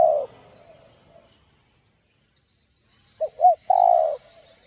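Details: Spotted dove in the 'giọng đồng' voice style, cooing used to stimulate and lure other doves: a short fading coo at the start, then after a pause two quick low hooting notes followed by one long drawn-out coo.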